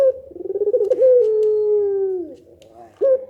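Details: Barbary dove, pelung nangguk type, calling so that other doves reply: a fluttering, pulsed lead-in swells into one long, steady, softly descending coo, and a fresh coo starts just after.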